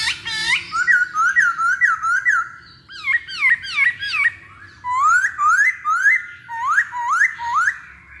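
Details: Masked laughingthrush song as a lure to make birds sing: loud clear whistled upslurs repeated in rhythmic phrases of four or five, with short gaps between groups.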